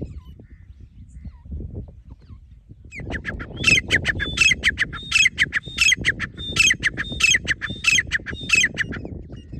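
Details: Grey francolin, also called grey partridge or teetar, calling: after three seconds of low rumble, a loud series of harsh, squawky repeated phrases starts, about eighty per minute, over steady low background noise.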